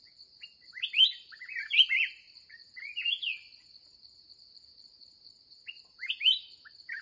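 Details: Wild red-whiskered bulbul, described as aggressive, found during a late-day trapping session: bursts of bright, slurred, bouncy whistled phrases in three quick groups, a pause, then another phrase. A constant high shrill drone hums underneath.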